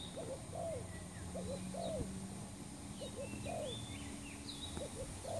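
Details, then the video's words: Lure recording of a spotted dove for trapping birds: clusters of two or three low curved coo notes, pausing between groups, while smaller birds chirp and whistle faintly higher up. "pikat terkukur burung baru"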